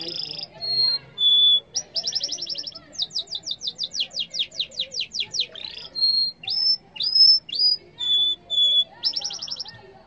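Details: {'caption': 'Yellow canary song, loud and continuous: high whistled notes alternate with rapid rolling trills and a long series of quick descending sweeps, then clear steady whistles and a final fast trill.'}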